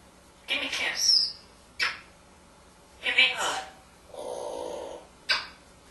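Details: A male pet African grey parrot, hatched 15 June 1997 and living in a Texas home, talks in short, human-like phrases asking for a kiss and a hug, with bright, slightly raspy words and a lower drawn-out sound between them.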